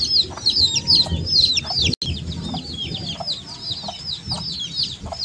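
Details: A brood of young chicks keeps up a busy stream of thin, high peeps, each a quick rising-then-falling whistle, briefly cut by a short dropout near two seconds, with faint low background noise.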